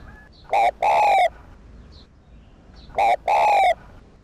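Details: Vietnamese spotted dove, kept to rouse decoy birds, calling a brief note followed by a longer level coo, repeated once after a pause of about two seconds, clear against a quiet background.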